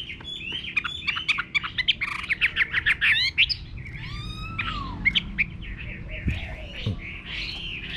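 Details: Chinese hwamei in a rural garden, singing a dense jumble of chattering notes and downward-sliding whistles, with a few lower knocks and some background noise toward the end.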